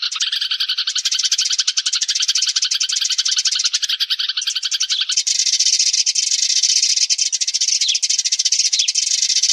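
Sparrows chatter in a dense, unbroken stream of high, sharp chirps, several birds overlapping at a rapid pace with no pauses.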